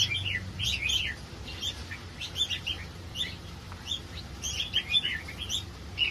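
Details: Red-whiskered bulbuls of a hybrid competition line, kept caged in Nakhon Si Thammarat, Thailand, ready for shipping; bursts of quick sweet chirping notes come in clusters with short gaps over a steady low hum.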